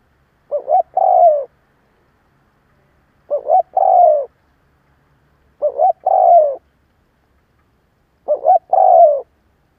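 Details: A caged decoy spotted dove calls to provoke other doves with four evenly spaced coo phrases, one roughly every two and a half seconds, each a brief doubled note before a longer, low, falling hoot, with no other sounds.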